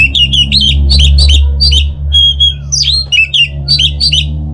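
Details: Lure recording of an orange-headed thrush, meant to set a kept bird singing; a fast stream of bright, varied chirps and short whistled notes with little pause, over a steady low hum.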